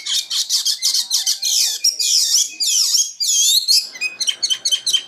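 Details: Common nightingale delivering very high, bright chirps and sweeping whistled slurs in quick succession, closing with a string of sharp, rapid clicking notes.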